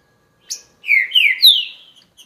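A Green-winged Saltator sings a short, sharp high note, then three rich, loud whistled phrases, each sliding downward, in about two seconds. No other sounds intrude.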